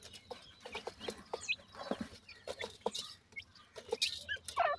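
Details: Francolin chicks at feeding with their parents; high chirps and squeaks come in irregular bursts alongside clicking, pecking sounds and muffled low clucks, growing busier toward the end.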